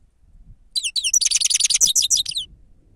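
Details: Grey-crowned goldfinch song labelled 'sava', played as a lure: after a few sliding high notes, a rapid, dense run of bright liquid twitters lasts about one and a half seconds, with a faint low murmur underneath.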